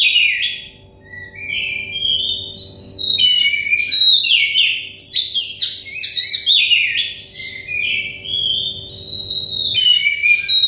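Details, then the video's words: Oriental magpie-robin song used as therapy to get untrained, stressed birds singing fast: a long run of varied clear whistles, high chirps and quick downslurred notes with brief pauses, over a faint steady low electrical hum. "terepi kacer bahan kacer setres kacer daon cepat gacor ngeplong"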